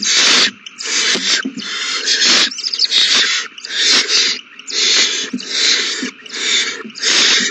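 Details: Owl nestlings begging while being fed, all babies eating well, 27 March 2020; roughly nine harsh, hissing screeches, each under a second, repeated at a fairly steady pace with soft scratchy sounds in the gaps.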